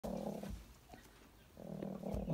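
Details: Caged chickens fighting over space: a low, rough growl for half a second, a pause, then another sustained growl rising toward the end.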